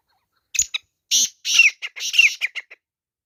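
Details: Grey francolin (teetar) during a fight, producing harsh buzzy bursts mixed with slurred whistles and short clipped notes in an uneven burst lasting about two seconds, then quiet.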